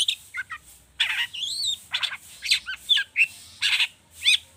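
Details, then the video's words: Agitated long-tailed shrike in full rich mimicry, used to prompt other birds to sing: fast bursts of harsh, buzzy notes mixed with rising and falling whistled phrases, separated by short gaps. "Pancingan cendet emosi, full isian mewah"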